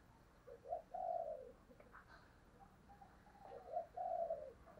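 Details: Spotted dove cooing, used as a lure to draw wild doves in: two low, hooting coo phrases, each a short note followed by a longer drawn-out one, quiet against steady background hiss.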